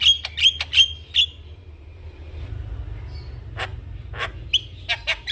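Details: Javan myna, an actively calling bird bobbing its head, kept as a master singer for training young mynas. Short harsh, whistled notes with buzzy overtones come in a quick burst, then a quiet murmuring gap, then several abrupt bursts of notes again.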